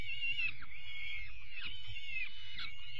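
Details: Hoarse, nearly unbroken screeching from young peregrine falcons receiving dinner on 5 May 2021, the tone wavering slightly, with faint thuds below.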